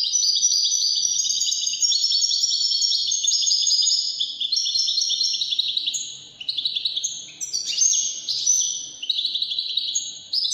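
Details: Wedani-style song of a European goldfinch, a fast, continuous run of high tinkling twitters, trills and short buzzy notes, briefly dipping in volume near the middle before resuming.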